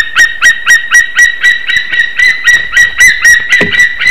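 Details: White-tailed eagles at a nest in Slītere National Park, Latvia, on 1 May 2021 around 3:23 PM, during a nest visit and mating, filmed by a live nest camera. Loud, steady yelping notes come about four per second.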